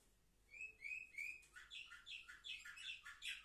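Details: Canaries aged seven months, recorded on 10 November 2023. Three clear whistled notes rise and fall, then quick rhythmic chirps repeat about three times a second in a lively run.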